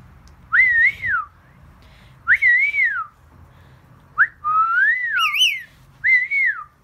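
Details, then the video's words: A rainbow lorikeet gives four clear, arching whistles, each rising then falling, about two seconds apart, with faint room hum underneath. "Rainbow lorikeet talking and whistling"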